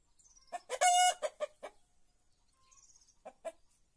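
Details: White rooster in an Andalusian village among olive groves, giving a series of short, sharp clucking notes with one brief, bright, sustained tone in the middle, then two more clucks after a pause.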